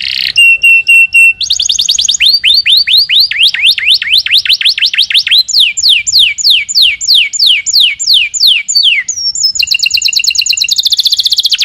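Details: Lively canary song built from fast runs of downward-sweeping whistles, several distinct tours changing pitch, opening with a steady high tone and ending in a rapid buzzy trill.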